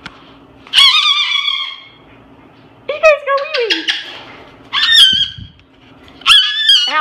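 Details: Pet parrot indoors, swinging upside down, notices a Moluccan cockatoo and looks toward the camera making cute noises: four loud bursts of squawky, harmonic chatter with sliding pitch, separated by short quiet pauses.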